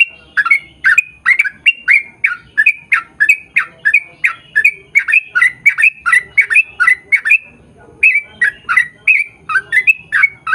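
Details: Yellow-vented bulbul pouring out an extended rapid-fire song used to draw same-species birds into singing: dozens of gurgling chirps in an even stream, a short gap near eight seconds, then more.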